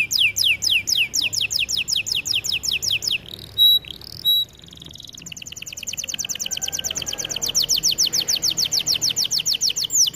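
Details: Canary song used for training, made of fast, high trills of repeated sweeping notes, a brief pause with a couple of whistled tones near four seconds, then a long rapid buzzy trill running to the end.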